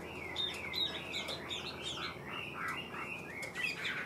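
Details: Chinese hwamei kept as a cage bird, praised as a good singer; a continuous run of loud, slurred whistled phrases, rising and falling, with quick notes tumbling over one another for the whole stretch.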